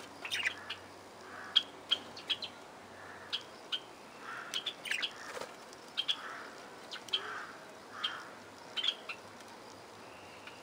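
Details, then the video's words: Parakeets in an aviary call in spaced, sharp high chirps, singly or in quick pairs every second or so, with softer mid-pitched warbles and faint flutter between them. "Parkieten geluiden – Parakeet sounds – Lovebird sounds – Budgie sounds – Budgerigar sounds"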